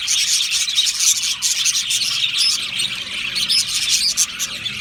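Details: Budgerigars chatter in an aviary colony, a raspy, constant twitter of high notes from numerous birds, with bursts of sharper clicks.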